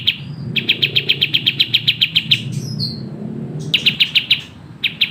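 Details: Sooty-headed bulbul singing at tight, rapid pace on a training master recording. Rows of crisp, high chirps break off for a falling whistled note, then resume in shorter bursts.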